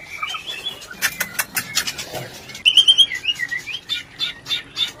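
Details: Shama mating lure in rencetan style: soft chattering, then loud clicking pulses, then a bright burst of rapid, sharp, high whistled notes and some falling chirps.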